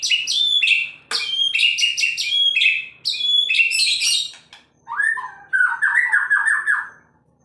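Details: Agitated male White-rumped shama singing in Indonesia: quick series of loud, bright whistled notes with crisp attacks, followed by a lower, throaty warbled phrase of rapidly repeated notes.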